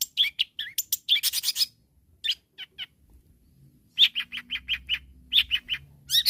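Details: Long-tailed shrike in strong voice, calling rivals: harsh chattering bursts, then a regular series of about eight clipped, squeaky notes, with a faint low hum in the background.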